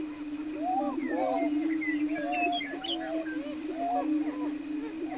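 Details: Several greater prairie-chickens on an April lek near Wray, Colorado, 2011: continuous low moaning drone beneath a busy jumble of clucks, whoops and upslurred cackles, a few higher chirps scattered above.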